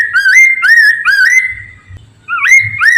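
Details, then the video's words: Chinese Hwamei in full song, meant to make other hwameis respond and sing: bright, looping whistles sliding upward, three in a row, a short lull, then two more quick rising phrases. "PANCINGAN POKSAY MANDARIN TERBUKTI AMPUH CEPAT DIRESPON POKMAN LAIN AGAR IKUT BUNYI"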